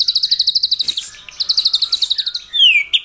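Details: White-rumped shama song meant to stir up rivals in the morning: two fast rows of clipped high notes separated by a short pause, ending in a long descending whistle.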